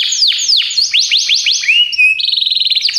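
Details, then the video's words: Belgian canary song from a canary training recording: loud descending whistled slurs in quick succession, a brief rising note, then a rapid bubbling trill of evenly repeated notes. "treinamento para canário belga"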